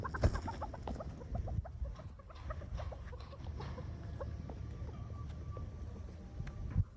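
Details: A Chukar Partridge pair meeting, in Pakistan: a quick run of short, clipped clucking notes in the first two seconds, then scattered single clucks over a steady low rumble of background noise.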